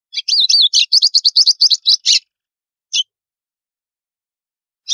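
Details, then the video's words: White-throated seedeater song in the estalo style, used to warm up other birds: a brisk two-second sequence of high, clicking chirps opening with a slurred whistle, then single sharp notes about two seconds apart. "GOLINHA CANTO ESTALO PARA ESQUENTAR"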